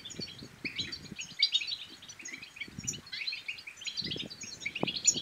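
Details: Bitbita-style European goldfinch song, played to encourage other goldfinches to sing and to breed: rapid jingling twitters and short trills in a steady stream, slightly softer, over low background rustling and occasional thumps.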